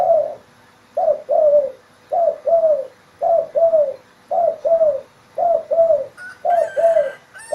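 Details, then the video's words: Spotted dove (tekukur) calling in the morning in an Indonesian village: mellow, low cooing notes in paired phrases, repeated about once a second, with a brief thin whistle from another bird near the end. "Suara Burung Tekukur di Desa"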